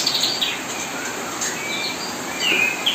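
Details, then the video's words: Tutoring song of kapas tembak, played day and night beside murai batu fledglings; scattered high chirps and a few bright whistled slurs over constant background hiss. "kapas tembak gacor nonstop menemani"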